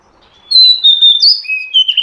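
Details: Oriental magpie-robin hen calling to get a male singing and raise his breeding drive: a single smooth whistled phrase of long level notes stepping up, then down, about one and a half seconds.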